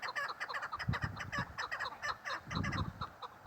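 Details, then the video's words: Female chukar partridge uttering irregular, throaty clucking notes in uneven bursts over a low, rumbling background noise. "Female chakor sound keklik sesi"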